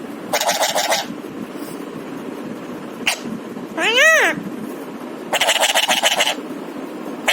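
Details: A talking pet parrot alternates harsh buzzy raspy phrases with a clear rising-and-falling whistled note in the middle, with short pauses between the phrases.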